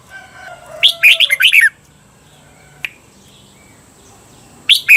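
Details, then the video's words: Caged-bird training recording of a red-whiskered bulbul: a fast warbled phrase of chirpy slurred notes near the start, a single sharp click midway, and another phrase beginning at the end; a faint steady whistle-like tone runs throughout. "เสียงฝึกเบิ้ล นกกรงหัวจุก เปิดสอนเบิ้ลยาวๆ เบิ้ลได้แน่นอน"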